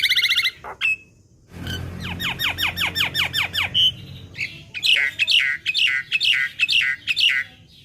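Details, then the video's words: Young black-winged myna (jalak kebo bahan) in a training recording: bright stacked notes, a pause, then about nine rapid downslurred whistles and a rhythmic run of chirps roughly two a second. "Masteran Burung Jalak Kebo Bahan / Jalak Kebo Muda | Pancingan Jalak Kebo"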